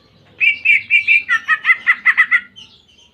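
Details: Greater green leafbird giving canary-like song. Four clear, level whistles are followed by a faster run of two-toned, stuttering notes, about a dozen in all, before a faint trailing note.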